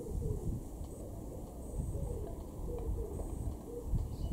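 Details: A common wood pigeon in a garden in Weener, East Frisia, northwest Germany, in March 2023 gives soft, deep, hooting coos in a steady rhythmic phrase, over low rumble with a faint high bird note.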